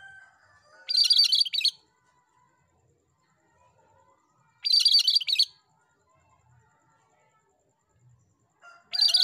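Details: Cream-striped bulbul, known locally as cucak kerinci, singing actively. Bright, rapid, scratchy chirp bursts under a second long come roughly every four seconds, separated by near silence and soft, faint whistles.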